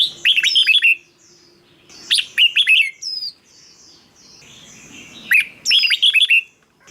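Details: Red-whiskered bulbul song meant for decoy use or playback to rouse caged birds: three bursts of quick, sliding whistled notes, each phrase under a second, separated by short pauses with faint chatter between.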